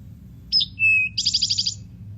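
Eastern Towhee song, a sharp high note, a lower steady whistle, then a fast buzzy trill of about eight notes: the classic 'drink your tea'. A low hum underneath.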